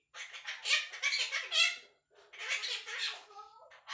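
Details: A one-year-old male pet Quaker (Monk) parakeet chatters in two bursts of raspy, buzzy, speech-like talking syllables, high and harsh, with a short pause between and a thin whistle near the end.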